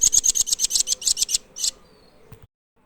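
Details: Blue nuthatch singing: a quick run of about a dozen high, sharp notes at roughly six per second, then a lone faint note after a short pause. Otherwise quiet.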